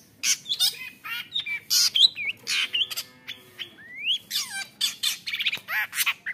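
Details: Long-tailed shrike, taken from the wild as a young bird and said to have a fighter's mentality, used as a lure to provoke other shrikes: a fast, varied song of harsh chatters, buzzy notes and sweet rising whistles, with quick rolling phrases.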